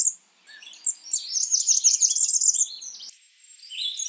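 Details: Blackburnian warbler calling: very high, thin notes building into a rapid, slightly buzzy trill in the middle, with scattered faint high chirps before and after.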